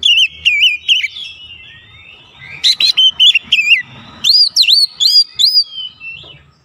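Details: Oriental magpie-robin (kacer) song used as a lure to provoke other magpie-robins: loud, clear whistled notes with sharp upsweeps, repeated in quick bursts, a softer warbling stretch between, and a faint low hum beneath.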